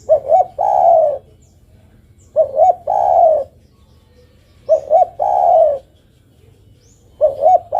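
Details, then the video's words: Female spotted dove calling the male: phrases of two short rising coos followed by a long, slightly falling drawn-out coo, repeated about every 2.4 seconds, four phrases in all, with a low hum underneath. "Suara burung derkuku betina memanggil jantan."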